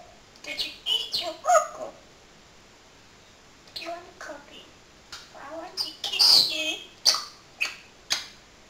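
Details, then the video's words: Talking pet parrot, male, mimicking a friend's cat's name indoors: a series of chattering speech-like syllables, a pause, then more phrases ending in several sharp high squeaks. "BEST TALKING PARROT IN THE WORLD"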